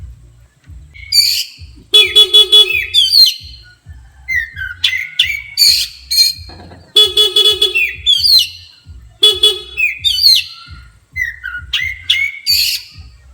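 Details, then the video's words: Oriental magpie-robin, highly agitated by a vehicle horn, answers with sharp rising whistles and squeaky notes between repeated horn blasts, along with low background rumble. "Kacer emosi tingkat tinggi di klakson langsung emosi"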